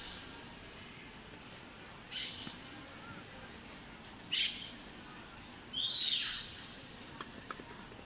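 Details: Wild parakeet building a nest in a palm tree in Sevilla, Spain: three harsh, grating screeches, a couple of seconds apart, each a short burst rising above a quiet hiss.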